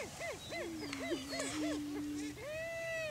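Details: On a Kansas lek in Washington County, displaying greater prairie chickens defend breeding territory: quick arched cackles tumble over a sustained low moan, ending with one long, smooth drawn whoop.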